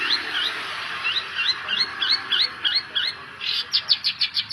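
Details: Long-tailed shrike song used as a lure to make a reluctant bird sing: a fast run of short upswept chirps repeated about three per second, ending in a brighter series of sharp, clipped high notes.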